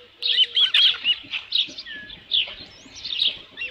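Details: Osprey at a nest at Dunrovin Ranch with a headless fish, midday on 27 June 2018, 12:48 PM: a quick run of high, thin whistled chirps, several per second, sharp piercing notes in short bursts.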